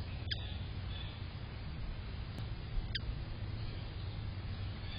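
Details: A ruby-throated hummingbird, drinking, gives two short, sharp chips about two and a half seconds apart over a steady low rumble. Recorded 25 July 2022.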